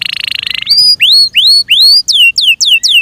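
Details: Kept canaries, identified as Belgian canary but described as Yorkshire canaries, singing: a fast buzzy trill, then bright, quickly repeated upward and downward slurred whistles, about three per second.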